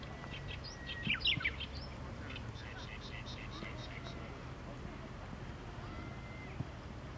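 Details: Japanese bush warbler giving its tani-watari call on a suburban riverbank beside a park and road, shortly before flying off. A long level whistle, then a loud sharp burst and a run of quick repeated notes, over steady traffic rumble.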